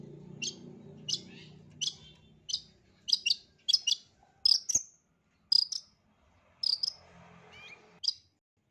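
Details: Long-tailed shrike song played as therapy for a stressed shrike reluctant to sing: sharp, high, piercing chips spaced roughly every half to one second, some doubled, over faint low background hum.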